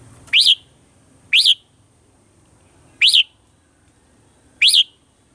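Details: Red-whiskered bulbul in morning song with a mature wild voice, a lure for training birds. Four loud, rising whistled phrases, each swooping up then dropping, spaced about one to one and a half seconds apart.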